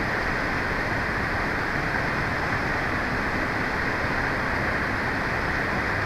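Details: Loud, constant rushing noise like strong wind or water, with no animal sound.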